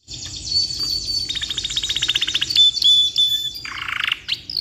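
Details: Canary, a black-red rolling type, in long continuous song used for tutoring other birds: a high whistled note, then a fast even trill of clicks and a buzzy burst, ending on bright rising whistles.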